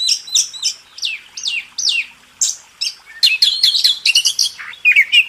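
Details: Champion-style master song of an Oriental magpie-robin, kacer: repeated falling whistled notes at a steady pace, then a quicker burst of sharp, ringing chips and twitters.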